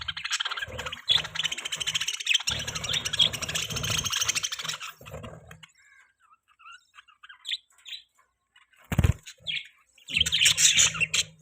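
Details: Budgerigar chatter blurred by a noisy, rushing background, then a quieter stretch with a few isolated chirps, a loud knock, and a final burst of busy twittering.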